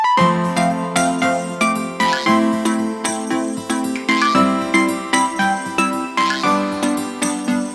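Only chiming, bell-like music plays throughout, with regular tinkling notes and no animal voice.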